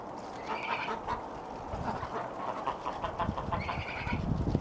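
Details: Greylag geese (Anser anser) being fed bread in a back yard in winter give nasal, honking cackles in short overlapping bursts, over low rumbling background noise and scuffling.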